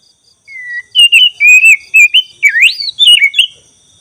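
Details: An Oriental magpie-robin (black-breasted) sings a varied run of clear, sweet whistled phrases that slur up and down, with a short squeaky dip in the middle.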